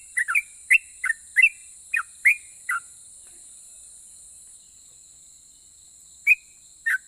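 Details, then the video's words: Sooty-headed bulbul singing to make other bulbuls respond: a quick burst of about eight chirped whistles in under three seconds, a long silence, then two more isolated notes. "KICAU SUARA trucukan gacor Ropel pajang ini RAJANYA BIKIN NYAUT trucuk lain"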